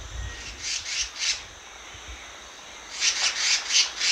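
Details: Black-naped monarch, a resident of forested hill country up to about 1,200 metres, in a lure recording. Two bursts of harsh, rasping, saw-like notes, three or four each, are separated by a quiet gap.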